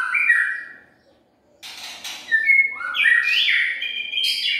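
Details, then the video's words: White-rumped shama lure recording with a whistled phrase, a brief silence, a raspy note, then a loud run of sliding, stepped whistles. "Murai batu pikat"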